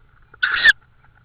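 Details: Estonian tawny owl near prey deliveries, evening of 16 May 2013: a single rasping, noisy call of roughly 0.3 seconds, even in strength, then louder and briefly sharper at its close, in an otherwise still setting.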